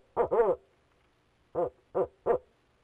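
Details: Male barred owl in a Leesville nest box, 2018, giving two run-together hoarse hoots followed after a pause by three separate short hoots, about one every third of a second.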